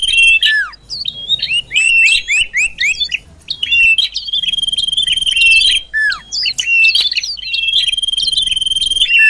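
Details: Sirtu cipoh, the common iora, on a lure recording meant to bring birds near: busy chattering trills and sharp falling slurs, then sustained bright whistles held for a second or more, with lively twitters between them.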